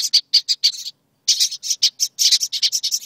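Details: Agitated nestlings in a birdhouse, reacting to being filmed, produce dense rapid rasping hisses, several overlapping in a nearly continuous chorus after a short gap.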